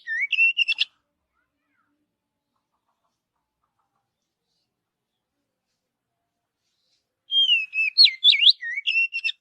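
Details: Natural Oriental magpie-robin song in forest: a short burst of rapid, swooping whistles, a long silence, then a longer burst of varied, sharply inflected whistled notes.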